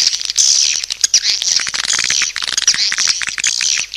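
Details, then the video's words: Swiftlet lure call: a dense, continuous mass of shrill, high twittering chirps, overlapping and uneven, broken by sharp dry clicks and short pauses. "SUARA PANGGIL BURUNG WALET"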